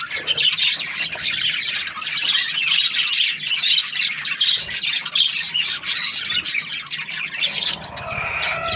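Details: Budgerigar in a happy mood, chattering nonstop in fast, scratchy high chirps and warbles that overlap densely, easing slightly near the end.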